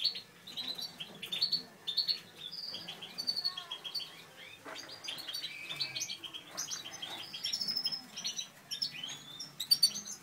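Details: A breeding pair of Satinet canaries, male natural/satinet and female satinet, gives lively high twittering with quick chirped notes and brief trills in irregular bursts; a faint low rumble sits underneath.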